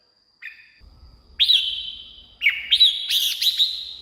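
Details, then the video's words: Red-whiskered bulbul song played to excite caged birds or draw in wild ones: a faint opening note, then loud, ringing whistles with upward-flicking starts, repeated in a lively, echoing sequence, with soft low rumble beneath. "เสียงนกกรงหัวจุก สำหรับต่อ หรือ เปิดให้นกคึก เสียงเพราะๆ"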